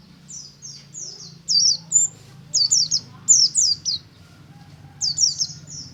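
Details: Morning ngalas song of a white-eye. Rapid clusters of high, sharp, down-slurred chirps come in uneven groups, some loud and some faint. A steady low hum runs beneath throughout.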